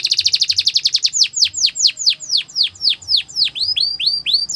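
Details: Canary training song: a fast run of sharp repeated chirps for about a second, then loud whistled notes that sweep steeply downward, repeated roughly four times a second in a rolling series.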